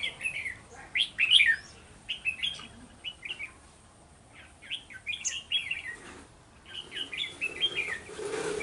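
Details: Red-whiskered bulbuls singing during a trapping session on 11 November 2018, with a decoy bird luring wild ones: bursts of bright, chattering whistled phrases, rising and falling, repeated in clusters separated by short pauses.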